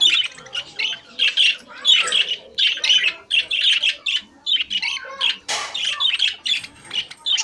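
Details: Budgies in a cage keep up steady twittering chatter, clusters of sharp high chirps about once a second, with a broad harsh burst past the midpoint.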